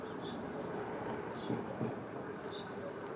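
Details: A cinereous conebill in Chile, singing on an electric cable before flying off, gives a quick run of very high, thin twittering notes, then a brief later phrase, over steady background rumble and a couple of low thumps.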